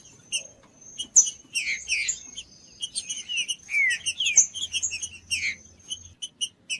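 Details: Green-winged saltator described as a 'frio' bird, one not singing readily, in Pernambuco style; high, quick, jumbled chirps and short slurred whistles over a steady thin high tone, with faint low hum.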